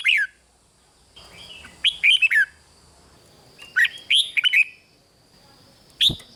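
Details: Red-whiskered bulbul in Thailand, sound played to excite caged birds: a short note, then two phrases of chattering, downslurred notes about two seconds apart, ending with a single sharp note and a low thump.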